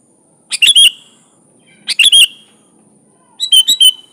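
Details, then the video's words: Sooty-headed bulbul in prolific 'gacor' song, 'full isian alam' style, used as a training master for other bulbuls: three short bubbly phrases of about four quick notes each, given roughly every 1.5 seconds, over a faint steady high whine. "Suara Burung Kutilang Gacor full isian alam"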